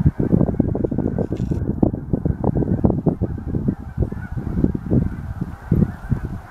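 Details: Many geese calling at a reservoir in Altus, Oklahoma: a steady, crowded barrage of short nasal honks, several birds at once, without any quiet gaps.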